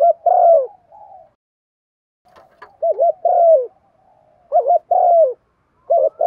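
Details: Lure recording of a Spotted dove's Thổ-style calling coo: repeated phrases of a quick quavering double note and a long falling coo, with a brief faint click and scattered soft high notes between them.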